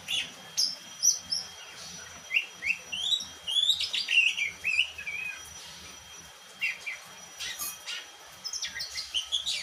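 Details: Kept Oriental magpie-robin in black-and-white plumage delivering bright whistled and chirpy phrases in rapid pulses, then a brief pause before thin high notes resume.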